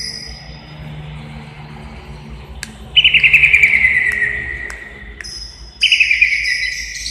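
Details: Indonesian greater green leafbird, recorded 29 January 2021, delivering two bright trills of rapid, slightly falling notes, each lasting about two seconds, separated by a quiet gap with faint clicks.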